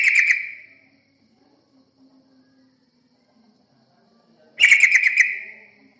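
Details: Yellow-vented bulbul singing, from a lure recording meant to pull in other birds. A fading chattery phrase opens the recording. After a long quiet gap a second rich, rapidly pulsed burst follows, lasting about a second.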